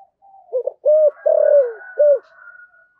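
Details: Caged decoy spotted dove, Vietnam, thổ voice style, calling. One phrase of soft rising lead notes, a clipped coo, a long falling coo and a short closing coo, over a steady faint whistling tone.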